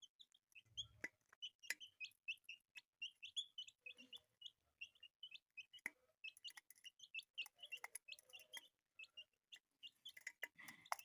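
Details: Several colourful pet chicks peeping steadily: rapid, short, high chirps repeated many times a second, overlapping from different birds, with a few sharp clicks and taps between them.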